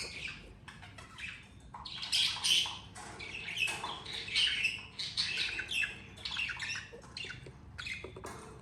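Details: Pet budgerigars, two parents with their two babies, calling almost continuously: harsh, scratchy chirps and squawks in overlapping bursts of about half a second, loudest around two to two and a half seconds, over a low steady background hum.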